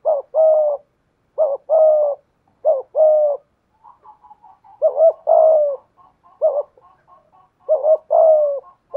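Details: Trained spotted dove of 'thổ' voice with 'thúc gù' style dueling a wild dove: repeated two-part coos, short note then longer falling coo, interspersed with faint, quivering, broken cooing notes between phrases.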